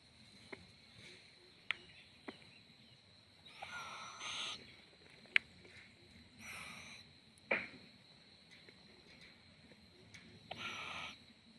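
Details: Owlet bobbing and swaying, producing several soft, airy hisses spaced a few seconds apart, quieter than the surrounding taps and a constant high-pitched background tone.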